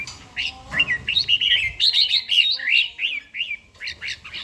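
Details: Red-whiskered bulbul, an older bird with a wild-type voice, singing in the morning during daily song training: bright whistled phrases with rising and falling slurred notes, tumbling quickly one after another.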